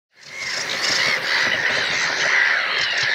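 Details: Sedge warbler (Acrocephalus schoenobaenus) in full song in a reed bed at WWT Castle Espie reserve: a fast, unbroken stream of scratchy chatters, churrs and thin whistled notes.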